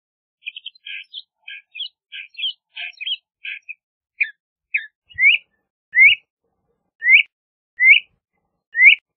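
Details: LeConte's thrasher starting with a run of soft, short chipping notes, then switching to loud, clear up-slurred whistles repeated about once a second.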